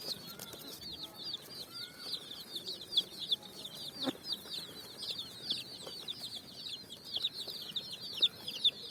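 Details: A group of coloured chicks on sand in the evening sun, looking for food, peeping continuously: dense, shrill, falling chirps from many birds overlapping, with a soft thump near the middle.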